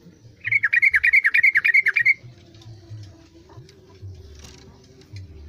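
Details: A captive yellow-vented bulbul that had stopped singing and sang again after careful care gives a quick burst of bubbly, chattering mid-pitched song notes, about a dozen in under two seconds, in a quiet room with faint hum.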